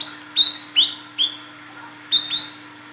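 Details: Calling female olive-backed sunbird, the local wiceh or kolibri kelapa, used to lure males: bright high notes that swoop up then level off, spaced roughly every half second, with a faint steady hum beneath.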